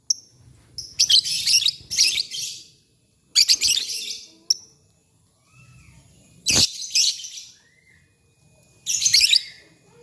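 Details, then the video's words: Lovebirds answering each other in the morning. Harsh, buzzy chattering bursts repeat every couple of seconds, mixed with short high chips and a low background rumble. "SUARA BURUNG LOVEBIRD PAGI HARI. 2 DETIK LANGSUNG BERSAHUTAN"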